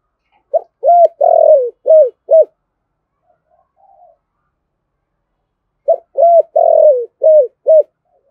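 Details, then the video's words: Spotted dove in 'thổ' voice, cooing in the 'thúc gù' style to provoke other doves: two phrases of low, mellow hoots, each centred on a long sliding coo, with a faint soft murmur in the gap. "cu gáy giọng thổ thúc gù dùng kích bổi, bổi nghe rất nhại gáy"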